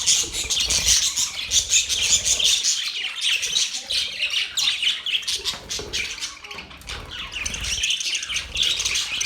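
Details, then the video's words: Chattering budgies on October 11, 2023 fill the air with dense high chirps, squeaks and raspy notes, briefly easing in the middle before the chorus swells again, with light rustling below. "Budgies chirping sounds"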